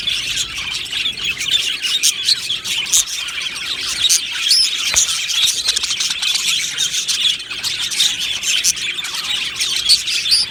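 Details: Happy budgerigars in an aviary colony: a dense, continuous wall of high chirps, squeaks and warbles from many birds at once. It rarely pauses, and a few sharper squawks stand out above the steady chatter.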